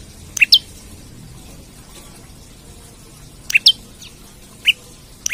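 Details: Olive-backed tailorbird singing hard while searching for an opponent, used as lure and masteran tutor: sparse sharp paired chirps, high and piercing, separated by pauses of several seconds against quiet background noise.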